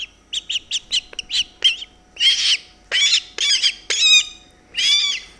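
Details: Hand-reared white (umbrella) cockatoo chick at Loro Parque in spring–summer gives harsh, raspy food-begging screeches after its beak sides are touched as a parent would: short rapid bursts, then longer grating squawks about every second.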